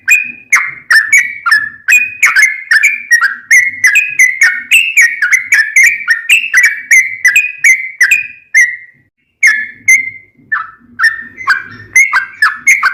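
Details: Long rolling sooty-headed bulbul song used to train caged birds: a steady stream of sharp whistled notes with click starts for about eight seconds, a short silence, then more spaced whistles resuming.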